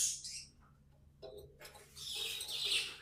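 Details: Tame budgerigars singing: a short high chirpy phrase, a near-silent gap, then a loud buzzy chattering burst building to the end.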